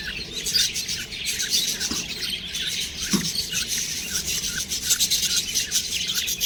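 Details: Budgerigar chicks keep up a scratchy, buzzing chatter of quick high chirps, busy and unbroken, with a couple of faint low knocks.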